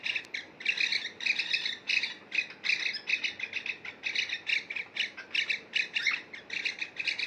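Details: Pair of domestic cockatiels calling while bathing: a steady stream of shrill, harmonic chirps, each a brief burst, coming several times a second in an almost continuous chatter.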